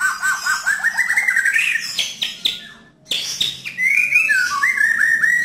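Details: White-rumped shama in rough yet clear song, meant to coax a silent caged bird: rapid rising trill of whistled notes, harsh chattering bursts, a short gap, then quick bright descending whistles.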